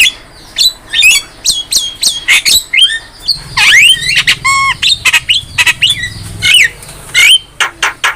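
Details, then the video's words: Javan myna master recording made for training songbirds: loud, varied song of sharp whistles, rising and falling slurred notes and harsh squawks, delivered in quick bursts with brief pauses. "MASTERAN JALAK KEBO GACOR"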